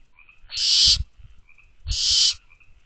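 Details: Two loud, drawn-out hissing screeches, each about half a second and roughly 1.3 seconds apart, from barn owl owlets in a nest box at night on 24 May 2023, with low knocks and faint high trilling.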